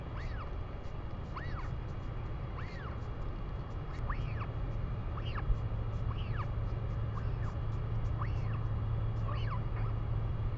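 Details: Northern royal albatross in New Zealand, recorded 3 May 2020: short arched calls rising and falling, repeated roughly every second, some overlapping, over a constant heavy low rumble.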